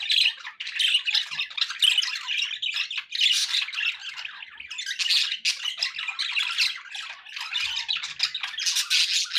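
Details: Dense squawking and warbling from several pet budgerigars, unbroken and close, with harsh rasping notes throughout.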